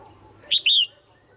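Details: Female red-whiskered bulbul calling to stimulate males or for pairing: a loud two-part note, a short sharp chip followed by a longer slurred whistle dipping then rising, clear over quiet background.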